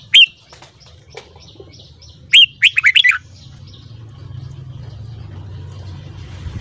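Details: Red-whiskered bulbul singing in the morning, a song style called 'căng lửa'. A single sharp whistled note comes first, then after two seconds a quick burst of five or six bright, rising and falling whistles. Faint low hum underneath.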